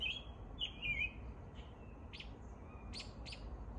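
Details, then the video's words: An American robin sings its spring morning song: short, slurred whistled phrases followed by a few brief, higher, sharper notes, over a steady low rumble of background noise. "American Robin performing the morning song"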